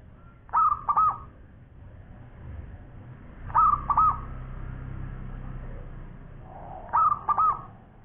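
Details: Perkutut, a local zebra dove singing steadily: three similar cooing phrases about every three seconds, each a short opening note and two bubbling rolled coos, with low rumbling background noise.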